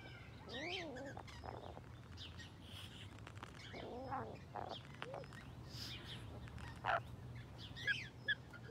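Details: Rainbow lorikeet kept at Fort Wayne Children's Zoo, recorded close up: two harsh, arched calls with stacked overtones near the start and middle, a few thin high chirps toward the end, over a steady low hum.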